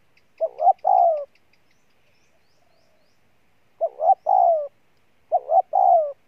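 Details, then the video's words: Wild-caught spotted dove cooing in three phrases of the same pattern: two clipped rising notes, then a longer, husky, down-sliding coo. A faint, high, rapid ticking sound comes at the start. "Con Bổi Gù Trâu Bò nhất năm"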